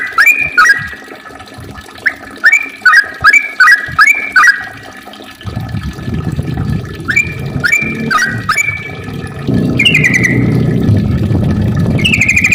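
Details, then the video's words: Yellow-vented bulbul, its long rolling song played to lure other bulbuls into singing: bubbly fluted phrases in repeated bursts, with a loud low rushing noise covering the second half. "kicau trucukan gacor ropel panjang ampuh untuk pancingan trucuk biar aktif bunyi ropel dan gacor"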